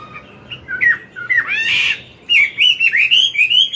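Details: Chinese hwamei, a mature wild-type bird, singing its forest-style morning song to train a young bird; loud varied whistled phrases sweeping up and down, slurred rising notes and a burst of rich warbling, with brief pauses between phrases.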